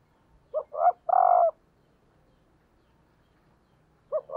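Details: Decoy female spotted dove calling to rouse males, giving two quick low coos and a drawn-out level coo, then silence before the next phrase begins near the end.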